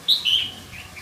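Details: Red-whiskered bulbul giving two bright, clear whistled notes, the first sliding down and the second held level, followed by a fainter trailing whistle, all within one second.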